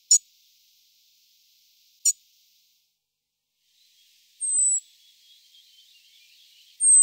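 A European robin gives two sharp, dry ticks about two seconds apart, then two very high, thin drawn-out whistles, with a quiet background.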